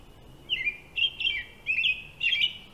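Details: European robin (Erithacus rubecula) singing high, shimmering, warbled phrases with slides and twitters, against a steady low rumble of background noise.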